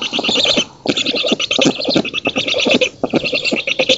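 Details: Black storks at an oak-tree nest in Poland on 19 June 2017, during feeding by the female and while driving off an intruder, give rough, hissing, scratchy calls in rapid bursts with brief pauses.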